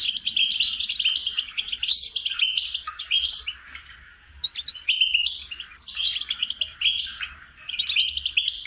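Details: Goldfinch melody used to train songbirds, delivered in lively bursts of fast twittering and buzzy trills, with brief quiet breaks between phrases.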